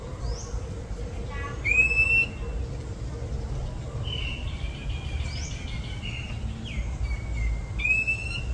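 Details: Oriental Magpie Robin near houses in a Thai village: several clear whistled notes, some rising and some held level, mixed with brief chirps, over a steady low hum and faint voices.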